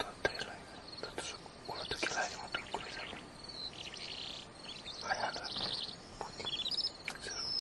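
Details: Wild crested lark (Galerida cristata) singing actively: a quick, varied run of chirps, clear whistles and short trills in bursts, over a steady hiss of outdoor noise.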